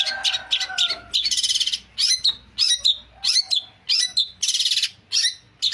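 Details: Long-tailed shrike song: loud, harsh, scratchy bursts alternating with short sharp chattering notes and brief whistles, delivered in irregular phrases about once or twice a second.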